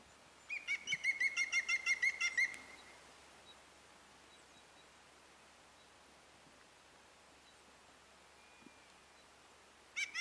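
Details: Maghreb green woodpecker at Oukaimeden, Morocco, in March 2012: a rapid run of about twelve sharp, evenly spaced ringing notes over two seconds, then a long quiet pause before another burst begins at the end.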